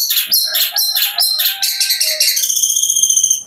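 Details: Six-month-old caged long-tailed shrike with a complete mimicked repertoire and rapid delivery: quick high chattering phrases repeated several times a second, settling into a sustained thin high whistle over a steady buzzy trill at the end.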